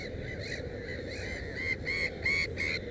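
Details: Black-headed gull calling at a nest holding three chicks, giving a run of harsh, nasal, slightly arched cries that grow louder and more insistent toward the end, with a low background rumble.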